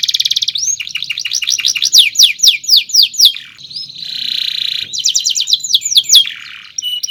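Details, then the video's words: Canary singing a long chirping song used as a master recording for training other birds: rapid trills, sweeping downslurred notes in fast series, a buzzy sustained passage, then more quick descending phrases. "SUARA BURUNG KENARI⁉️ Cuit cuit Panjang COCOK untuk Masteran"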